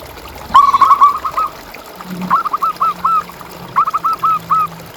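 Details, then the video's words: Zebra dove, local bird, singing for a master recording meant to rouse quiet caged doves: three short phrases of trilled, bubbling coos, each ending in separate clipped notes, with a faint low hum beneath. "Suara Perkutut Pikat"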